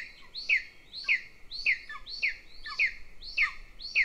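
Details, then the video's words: Younger golden eagle chick begging at a nest-camera nest near the Central Training Field, Northern Estonia, while the female feeds its elder sibling; sharp descending whistled chirps repeat about every half second in a steady series, with quiet background. "LIL CHICK BEGS WHILE ELDER IS FED"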